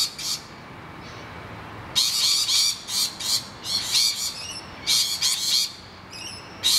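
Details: Rainbow lorikeets under attack from noisy miners at their nest hollow scream repeatedly: one early shriek, then a long run of raspy, grating bursts, with short high chirps from other birds mixed in.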